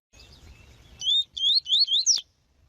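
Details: Double-collared seedeater female calling to stimulate males: four quick, high, thin upslurred whistles in about a second, after a faint high twittering; otherwise quiet.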